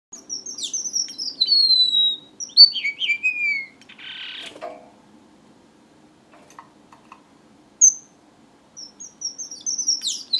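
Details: Strawberry finch singing: high thin whistled notes, then a run of slurred whistles sliding downward, a short buzzy rasp, a quiet pause with faint ticks, and a closing string of very high piping notes.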